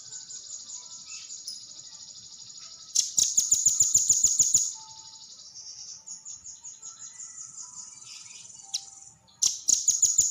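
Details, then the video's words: Velvet-fronted nuthatch giving high, thin rapid trills of sharp repeated notes, several bursts separated by softer, steadier high twittering. "burung Rambatan pr mrh"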